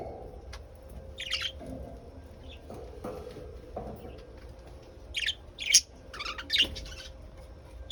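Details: Lovebirds, mostly quiet at first with a few faint chirps, then a cluster of loud, piercing, scratchy squawks near the end, over a constant low background hum.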